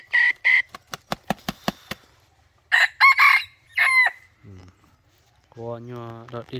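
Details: Red junglefowl used as a decoy bird to lure wild junglefowl: short, loud crowing bursts open the recording, followed by a run of sharp clucks, a second crowing bout near three seconds, and a lower, drawn-out harmonic call at the end.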